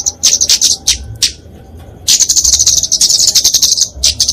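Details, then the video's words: Flowerpecker (kemade, genus Dicaeum) fighting song used for tutoring and luring small songbirds: very high, thin chips and trills packed in rapid bursts, a pause near the middle, then a long sustained high twittering run. "Kicauan Kemade Tarung Untuk Masteran&Pikatan Burung Kecil"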